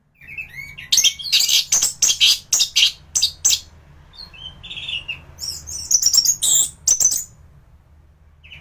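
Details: Caged anis thrush in peak singing form, serving as a tutor song for other birds: a long series of loud, rasping high notes, a few soft mid whistles, then ringing chattered phrases.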